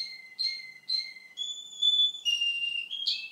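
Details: Male Russian canary sings three repeated lower whistled notes, then long, pure, level whistles at higher pitch, ending in a brief buzzy flourish.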